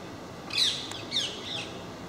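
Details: Parakeets from a group that regularly visits a park, making a racket: two harsh, screechy squawks, the first short and sharp, the second longer and ragged, over faint background hiss.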